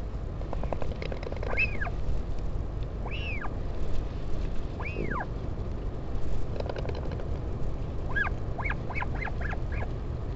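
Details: Parent northern royal albatross visiting its chick on 16 July 2019 at a wild colony on Taiaroa Head, Dunedin, New Zealand, on a live webcam. Several arching, whining calls are followed by a quick run of short clipped notes, all under steady wind roar.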